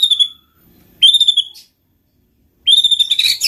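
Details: Murai batu, the white-rumped shama, sings to prompt other shamas: clear high whistled notes, each held briefly, separated by silences, ending in a scratchy, fluttering high flourish.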